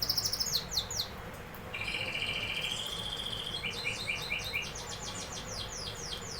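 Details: A canary sings: a brief burst of sharp high notes, then a sustained buzzy rolling trill, followed by rapid repeated downslurred chips continuing to the end, with low hum underneath.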